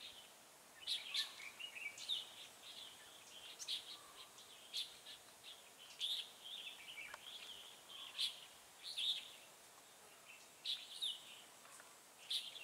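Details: Red-whiskered bulbul used as a decoy in trapping, recorded 8/11/2017, singing to provoke rivals: bright, sharp chirped notes and short warbled phrases, high-pitched, bursting out every second or so against a quiet background.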